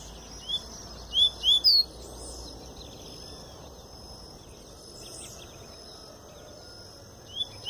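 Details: Tui-tui song of a double-collared seedeater just out of molt: a short burst of three or four rising whistled notes early on, then a long quiet stretch with faint hiss before one more soft whistle at the end.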